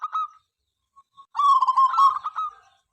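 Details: Busy local zebra dove singing, meant to get rival birds calling at any time of day; a brief coo, a couple of soft notes, then a long bubbling, rolling coo phrase.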